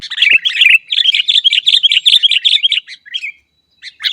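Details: Sooty-headed bulbul singing, a recording meant to train caged birds to sing: a rapid stream of twittering, slightly buzzy notes for about three seconds, then a short silence and a few more chirps.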